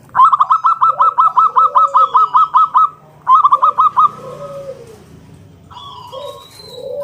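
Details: Local zebra dove, ngalun kung bulat song used to lure other doves into singing: a loud fast run of about a dozen sharp clipped notes, a shorter burst, then low soft arched coos.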